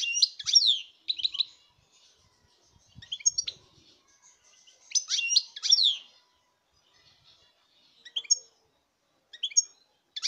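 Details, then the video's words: Goldfinch singing, recorded 2019, with scattered high tinkling chirps and twittered phrases that come in irregular bursts, some louder and fuller, others single thin notes, with pauses of silence between them. "chant chardonneret"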